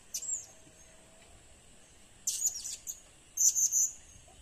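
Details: Blue-crowned hanging parrot (serindit) calls used as a lure: very high, thin squeaky notes, a short one near the start, then two bursts of rapid shrill chirps, over a quiet background hiss.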